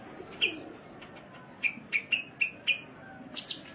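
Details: Indonesian training recording of a sunbird (kolibri) for cage birds: a bright whistled note, then a run of short descending chirps spaced about a quarter second apart, ending in a higher double note; faint background hum.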